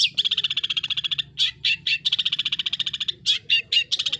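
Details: Long-tailed shrike singing actively in a full 'isian' style (mimicked fill-in phrases), high and low, for use as a training recording. Fast, even trills of high ticking pulses are broken by short bursts of sharp notes, then the trilling resumes.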